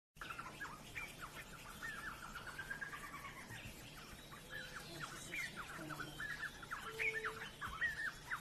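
Black-headed Trogon giving a long run of quick, clucking notes that rise and fall in a steady chatter. Brief higher chirps from other birds break in near the end.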